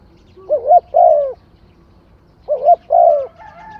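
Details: Spotted dove repeating its song twice, about two seconds apart. Each phrase is a quick, rising double coo followed by a longer, soft, descending coo, all low and mellow. The background is quiet.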